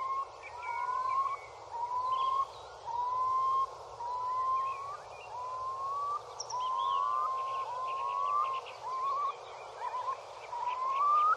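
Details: Bubbling display song of male Eurasian curlews courting mates at Tindale Tarn, Geltsdale, England, in late April 2021: a steady run of upslurred whistles, each about a second long, with softer birdsong in the background.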